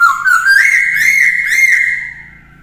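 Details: Caged black-throated laughingthrush singing for a young bird to learn. One loud, continuous whistle climbs, then undulates in gentle waves before slowly fading.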